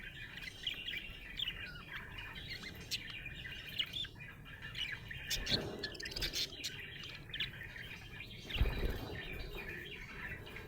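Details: Budgerigar chirping happily in a long warbled chatter of high squeaks and trills, broken by a couple of louder thumps or knocks.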